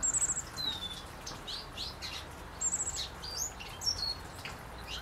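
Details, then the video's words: Lesser goldfinch, recorded in 2016, giving bright, high twittering calls: quick rattled bursts near the start and again midway, with thin slurred whistles scattered between. "Lesser Goldfinch"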